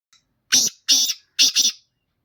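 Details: Black francolin singing: one harsh, grating phrase of three loud rasping notes, the last doubled, with no other sounds around it.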